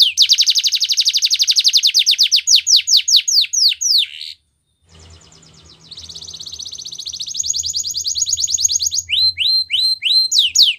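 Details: Canary song aimed at prompting other canaries to sing, opening with a long rapid rolling trill of sweeping notes, a brief pause, then soft churring and another fast trill ending in quick rising chirps.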